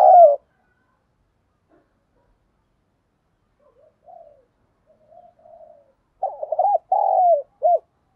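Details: Decoy spotted dove in the 'thổ' voice style, luring wild doves: a loud opening coo, long quiet stretch with faint murmurs, then a bold three-part phrase of deep, throaty coos.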